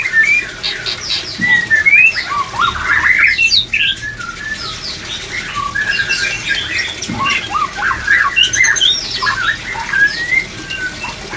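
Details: Song of white-rumped shama, used to stimulate breeding condition, dense and busy: overlapping whistles, rising slurs and rapid chattery notes pouring out for over eleven seconds with barely a pause.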